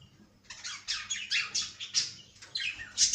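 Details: Cockatiel chattering in a steady run of short, high, scratchy chirps and squawky notes, closely spaced with brief pauses, no other clear sounds.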